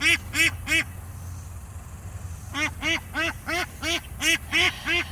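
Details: A domestic duck, one of two recently given by a neighbour, panics after slipping out under a fence being moved. It gives loud, harsh quacks in quick bursts: three, a pause, then a steady run of about three per second, over a low rumble.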